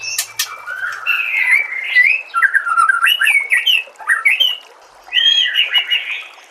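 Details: Song of a white-rumped shama for tutoring caged birds: rich, sliding whistled phrases in three bursts separated by short pauses, with sharp clicks at the very start.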